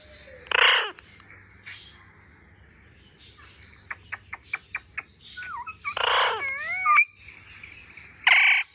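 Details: Pet parrot playing with a mobile phone gives loud harsh squawks at the start and end, with a run of sharp clicks and tapping in between and a few bending, wavering whistled notes.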